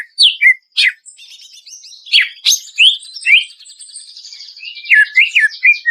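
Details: Greater green leafbird lure song for birds under stress: sharp downslurred whistles stand out over a soft, continuous high twittering, with repeated short chirps near the end.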